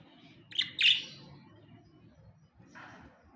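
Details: Two pet budgerigars; a pair of loud, quick chirps in close succession, followed about two seconds later by a softer, rough chirp, over a faint low hum.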